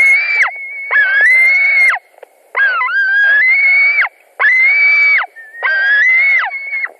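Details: At a white-tailed eagle nest in Latvia on 17 July 2020, during an evening fish delivery: repeated long whining calls, some rising at the start, others flat, with a sharp drop at each end.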